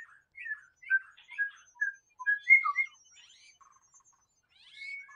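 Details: White-rumped shama heard in the wild giving separate clear whistled notes, some slurred upward, spaced by short pauses, then softer scratchy twitters and a final rising whistle.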